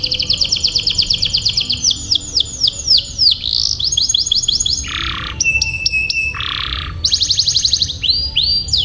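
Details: Canary song meant to train young birds and prompt silent canaries into long rolling phrases: fast trains of descending whistled sweeps change tour after tour, broken by two broad harsh buzzy bursts and a sharp pulsed stutter.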